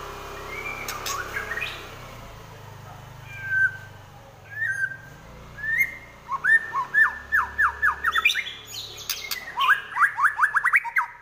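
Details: White-rumped shama singing in fighting mode: scattered short whistles at first, then fast bursts of sharp downward-sweeping notes repeated in quick series, over a low background hum.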